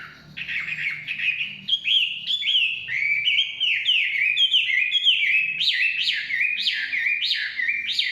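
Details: Chinese hwamei in the forest delivering a loud, fluent song of slurred whistles, each note swooping up or down, repeated in a lively, rolling series across the whole stretch.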